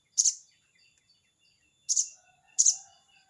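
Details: Crested jay calling to a rival, 'crecet' style: three loud, grating, rasping notes, the first alone and then two close together after a long pause.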